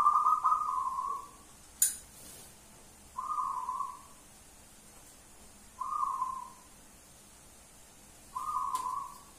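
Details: A local wild zebra dove gives loud, repeated calls. Short level trilled notes come about every two and a half seconds, with a few sharp clicks between them against a quiet background.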